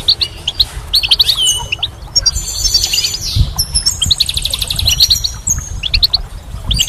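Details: Springtime goldfinch singing in dense bursts of fast, bright twittering and sparkling trills, broken by short pauses, with a faint low hum beneath.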